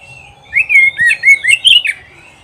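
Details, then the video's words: Oriental magpie-robin (kacer) song from an Indonesian recording meant to train pet kacer to sing often and win contests: a quick series of clear whistled slurred notes, rising and falling, about six notes in under two seconds. "SUARA KICAUAN BURUNG KACER TERBAIK"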